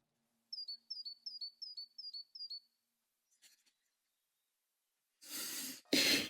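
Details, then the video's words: In woodland beside a spring-fed pond, a tit, whose song is said to herald the arrival of spring, sings six quick, high, two-part notes, each sliding down, evenly over about two seconds, followed by rustling and loud handling noise. "Généralement, quand vous entendez cette mésange, c'est le symbole de l'arrivée du printemps, en fait. Et vous avez tous les signaux qui vont avec."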